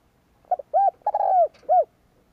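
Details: Spotted dove cooing, played to stimulate males in training: two short clipped notes, a rounded coo, a long drawn-out falling coo, then a single closing coo, all low and mellow over a quiet background.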